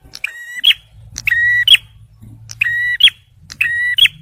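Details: Male bar-winged prinia song for luring and stimulating stressed birds. Four quick buzzy double notes, each a flat harmonic tone closing with a bright upward snap, sound over a steady low hum.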